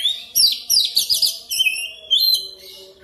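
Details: Oriental magpie-robin in lure song to draw out quick rolling singing: dense bursts of fast buzzy trills and chattering notes, followed by a long clear whistle and a brief twittered ending.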